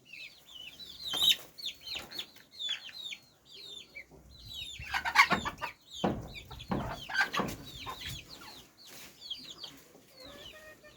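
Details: Chickens calling: many high, thin, downward-slurred peeps repeat rapidly throughout, with occasional lower clucks and rustling thumps from the birds.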